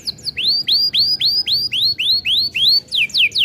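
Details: Canary singing steadily, played as a lure so young canaries learn to sing: clear upward-curving whistled notes repeated about three times a second, followed by rapid falling notes.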